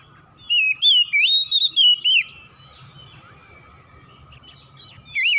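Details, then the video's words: Oriental magpie-robin song played as a stimulating therapy track to make a kacer sing eagerly, with a burst of loud whistled, sliding notes, then a quiet stretch with a soft steady tone and faint low hum, and a brief whistle at the end. "TERAPI MERANGSANG KACER CEPAT EMOSI GACOR BONGKAR ISIAN"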